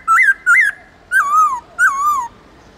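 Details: Central Highlands white-cheeked laughingthrush giving wild-voice song for bird training: two short up-down whistled notes, then two longer wavering whistles that drift downward, all clear over a quiet background.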